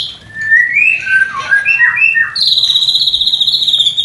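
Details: White-rumped shama mating sound, played to raise breeding desire in a new pair: warbled wavering whistles, then a sustained high, rapidly pulsing trill lasting nearly two seconds.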